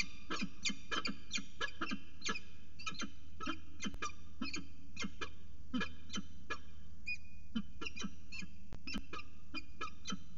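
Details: Northern goshawk pair mating at the nest edge on a water tower in Axel, February 2018: a fast, chattering series of harsh, nasal notes, roughly two to three per second, continuing throughout over a low hum.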